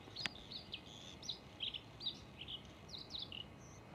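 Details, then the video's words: Male Bluethroat song: a lively stream of high, varied whistles, slurred chirps and twittering notes, delivered rapidly with brief gaps, against a quiet steady background. "ВАРАКУШКА( Luscinia svecica - шведский соловей) НА ВОКАЛЬНОЙ ПРОБЕ"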